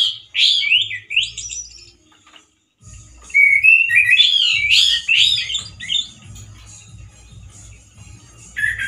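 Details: Loud, rough song of a male orange-headed thrush with limited variation: wavering whistled phrases, a pause, then a run of quick slurred whistles rising and falling, fading into softer twitters before a final note.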